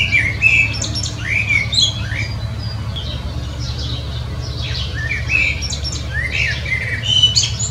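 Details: Common blackbird song: clear whistled notes rising and falling, mixed with high chattering twitters in bursts, over a soft background hum.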